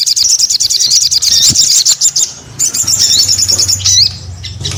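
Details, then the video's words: Busy Crested Jay song: fast, high, rattling trill repeated in bursts, then twisting whistled phrases. "SUARA SOGON GACOR"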